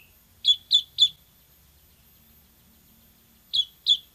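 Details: Ciblek semi, the bar-winged prinia, delivering three sharp, high chips, then a long silence and two more matching notes.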